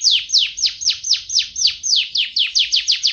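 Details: F1 canary singing vigorously, a steady run of loud, clear notes each sweeping sharply downward from high pitch, about four to five per second, with no other sounds.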